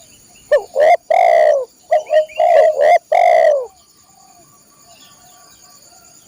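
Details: Spotted dove song for training caged birds: loud, deep cooing phrases of several notes, some short and clipped, others long and falling, repeated with brief pauses, then quiet; a faint steady high whine runs behind.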